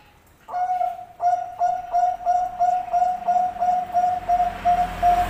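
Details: Zebra dove of the Bangkok type, a singing bird used as a training model: a steady series of about eleven short, clear coos at even pitch, repeated roughly every third of a second after a brief silence, with faint background hiss.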